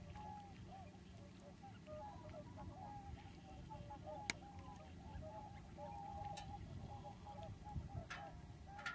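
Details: Flock of common cranes at Lac du Der in February 2011, during an exceptional late-winter migration wave after bad weather over the Pyrenees. They keep up a constant chorus of overlapping rolling, trumpeting calls, with low wind rumble and a few sharp clicks.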